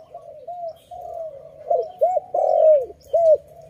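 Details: Loud dove cooing from a trapping session where caught birds are released: soft low coos build into stronger arched notes, repeated several times in quick succession.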